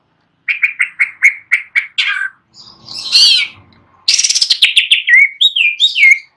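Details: Greater green leafbird in full song on its perch: seven quick identical chips, a rasping harsh note, then a rapid falling series of bright chirps ending in slurred whistles.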